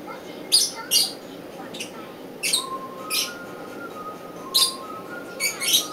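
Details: Northern white-faced owl chick giving short, harsh hissing bursts, singly or in quick pairs, at irregular intervals, over a faint steady whine and low background hum.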